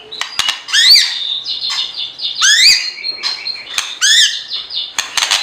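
Lovebird chatter: shrill, squeaky chirps and harsh squawks that sweep up and down, coming roughly once a second, with sharp clicks in between.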